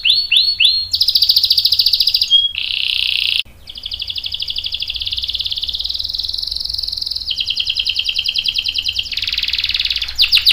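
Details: Canary in a long rolling song meant to coax other canaries into singing along: varied phrases of rapid buzzy trills and repeated whistled notes, with a brief pause and an abrupt join partway through.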